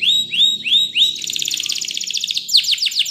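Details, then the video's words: Spanish Timbrado canary training song: four rising slurred whistles, then a long rapid metallic trill, ending with a few sharp descending notes. "Your Canary Will Not Stop Singing With This Training Song"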